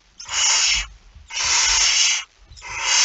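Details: Barn owl with a mouse, 17 September 2019 at 01:49, making three long harsh hissing screeches of nearly a second each, closely spaced, with quiet shuffling sounds underneath.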